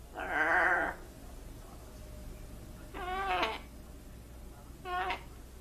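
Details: A trained pet blue-and-gold macaw speaks three hoarse, voice-like phrases, such as "what's up" or "hello": a drawn-out one-second utterance, then two clipped ones, one rising and one falling, a couple of seconds apart.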